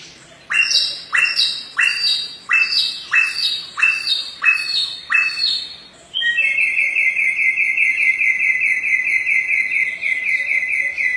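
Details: Samyong bird singing energetically as a tutor for other cage birds: seven loud, sharp, separated notes, then a long continuous high trill that runs to the end.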